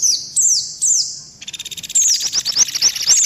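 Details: Indian white-eye lure call from a combined trapping mix that includes mantenan and pelatuk beras sounds: high thin chirps sliding downward, a pause, then a dense buzzy rattling trill overlaid with further descending chirps.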